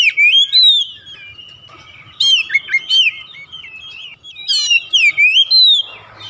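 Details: Song of a pet oriental magpie-robin, used to coax a quiet household bird into singing: two bursts of clear whistled, swooping notes mixed with quick high chips, separated by a softer, lower-level pause.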